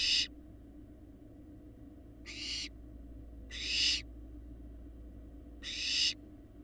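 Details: Barn owl fledglings, large and resembling their parents, on a live nest cam in Florida, eggs laid January 2022: four harsh, broadband hissing screeches, each swelling then cutting off, spaced irregularly over several seconds above a steady low hum.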